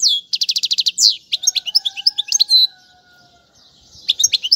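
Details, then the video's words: Song of a European goldfinch, played for teaching chicks, with named styles like casta casta. It opens with a crisp repeated trill of about ten notes, then jumbled twittering; a pause with a faint low steady tone, then chirps return. "أفضل تغريد الحسون"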